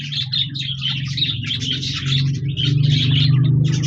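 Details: Parakeets, budgerigars, chirping on 26 January 2024, a rapid run of high twittering notes over a strong steady low mechanical hum that throbs toward the end.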